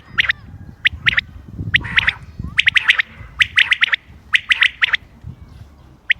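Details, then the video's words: Common quail, 28 May 2025, calling in a recording meant for hunting. Scattered, crisp notes come in groups of two to four with irregular spacing. Faint low rumble lies beneath, and a single note ends the clip. "quail bird sounds common quail bird sounds بٹیر کی آواز شکار کیلئے quail bird bater"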